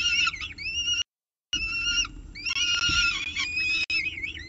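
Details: Peregrine falcon calling at the CSU Orange nest while handling a pigeon, morning of 24 October 2018; loud, strained wailing notes mixed with quick chittering, nearly continuous apart from one short break.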